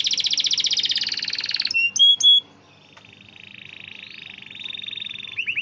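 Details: Canary singing as a tutor for reluctant birds: a loud rapid trill, three short bright whistles, then a soft long wavering trill fading before faint closing notes.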